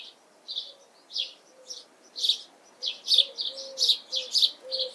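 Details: House sparrow in June 2020, filmed with a Canon camera: bright, high chirps in short bursts, irregular at first and then quicker and louder in the second half, over a faint low steady hum.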